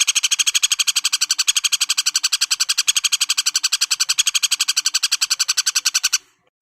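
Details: Common flameback woodpecker calling in a sustained, buzzy, rattling series of fast repeated notes, steady in loudness for about six seconds before stopping abruptly.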